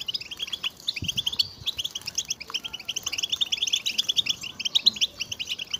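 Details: Several European goldfinches in a stimulating chorus of mating and readiness calls: tight runs of sharp chirps and liquid trills, densely packed, with an occasional low knock.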